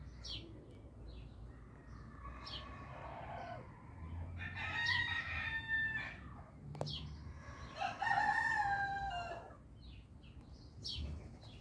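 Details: Orpington and Marans roosters crowing in turn, several drawn-out harmonic crows overlapping, with chirping birds and a hum of background noise throughout.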